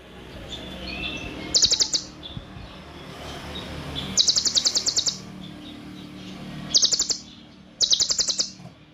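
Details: Olive-backed sunbird, 'konin', delivering a dense, long 'full nembak' tutor song with 'cililin' fill. Four separate bursts of rapid, very high, sharp ticking notes, each lasting under a second, come several seconds apart over quiet background hiss.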